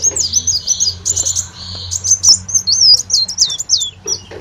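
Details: Olive-backed sunbird, a lure sound for attracting birds: a lively series of high, slurred chirps, some looping and some sweeping downward, delivered at an uneven, rapid pace.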